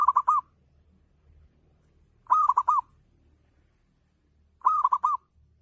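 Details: Local zebra dove singing to stimulate others into song; three crisp phrases of four rapid bubbling coos, repeated about every two and a quarter seconds against a quiet background.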